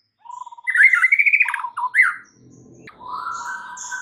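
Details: White-rumped shama 'isian' filler song, meant to get a non-singing caged shama going: a fast warbling phrase with rippling notes, then a long, steady, lower whistle.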